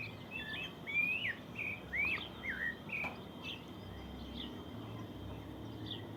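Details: Birds in the countryside singing in the morning, several loud rising whistled notes early on, then softer, more distant phrases trailing off.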